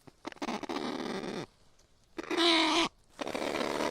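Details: Kakapo making harsh, rasping squawks: a long gravelly call that ends abruptly, then a louder, more tonal screech with a nasal ring, followed by another rough, noisy call.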